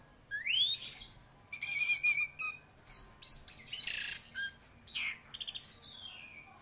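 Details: Orange-headed thrush singing vigorously: a rising whistled slur followed by loud, harsh chattering bursts and rapid scratchy phrases, with short gaps between notes.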